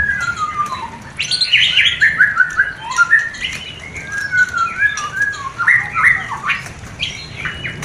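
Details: White-rumped shama mating song used to stir breeding desire in a new, not yet producing pair; softer run of whistled, warbling phrases with downward slurs, steady low background hiss.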